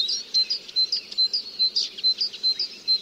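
A Eurasian siskin sings short, high chirps, nearly three a second, over a thin, steady high tone, with a soft low rumble behind.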